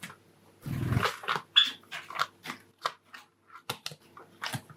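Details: Courtship song from a caged male cherry-colour Java sparrow living indoors with four companions: a soft thump, then a steady string of crisp clicking and ticking notes, roughly one to two per second.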